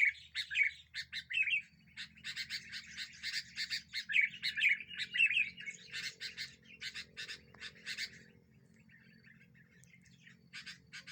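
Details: Sooty-headed bulbul used to lure birds, its song said to stir up rival birds: slurred whistled phrases and scratchy chatter for about eight seconds, then quieter scattered notes over a constant low drone.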